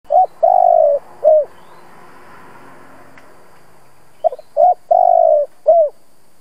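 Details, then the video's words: Spotted dove used as a lure bird to stimulate other doves to coo: two bursts of soft, mellow coos, short note then a longer drawn-out one and a brief final note, over faint steady background hiss. "Cu gáy mồi siêu kích bổi, giọng hay kích là gáy hiệu quả 100%. Tiếng chim cu gáy kích bổi"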